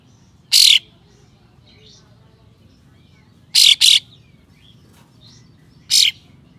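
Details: Kapas tembak giving coarse, sharp 'besetan' shots to provoke rivals into tail-fanning. One harsh burst, a close pair a few seconds later, then a final single, with faint chirps between.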